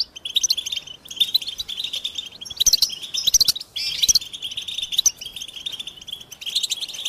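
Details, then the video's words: American goldfinch song heard as a steady, high twittering stream broken by louder chirp bursts around two and a half to four seconds, then settling back into continuous chatter. "The Joyful Songs of Goldfinches"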